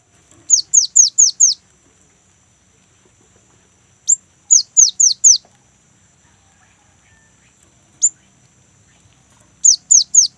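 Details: Lively young great tit, its rolling song played to draw kept great tits into singing. Very high, sharply falling whistles come in tight bursts of four or five, separated by pauses and single isolated notes, against a quiet background.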